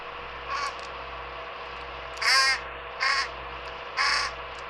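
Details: Adult fish crow at a backyard birdbath in July, with its fledgling, giving four harsh, nasal caws about a second apart, the later three louder, over a steady hum; the nasal call marks fish crow, not American crow.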